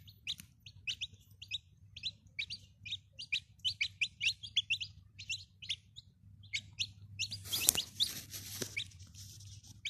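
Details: Chicken chicks peep continuously, crisp high falling notes tumbling in quick irregular succession for several seconds, then a burst of rustling noise near the end, with faint hum throughout.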